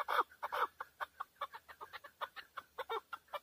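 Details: Calling male chukar partridge, Tajikistan, 2020. Two loud harsh notes open the phrase, then a brisk, evenly paced run of clucking chuk syllables follows at a lower volume.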